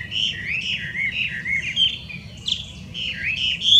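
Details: Wild Chinese hwamei in Japan, an invasive species from China, pours out a continuous warbling song of looping, wavering whistles with a few higher sharp notes.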